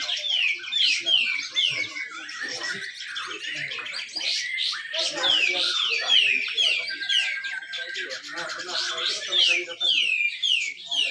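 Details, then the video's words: At a bird contest in Malinau, North Kalimantan, a grey-cheeked bulbul sings its continuous 'besetan rapet' song used to get quiet birds singing: strings of fast falling whistled notes, repeated about twice a second, amid crowded bird chatter. "cucak jenggot besetan rapet"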